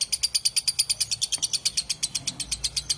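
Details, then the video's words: Clear lovebird ngekek, a long chatter of harsh, high, rasping notes fired off about seven a second, evenly spaced and strong throughout. "BURUNG LOVEBIRD NGEKEK PANJANG SUARA JERNIH"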